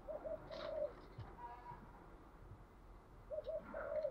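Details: Spotted dove in the thúc gù cooing style: two short low coo phrases, one at the start and one at the end, separated by a pause, over steady background hiss and noise.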